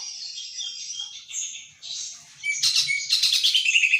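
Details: A captive, relatively young Greater Green Leafbird sings in the morning, seemingly stirred by MP3 and surrounding sounds including a crowing rooster. It gives a fast, varied stream of high whistles, chirps and buzzy trills, rising in strength toward the end.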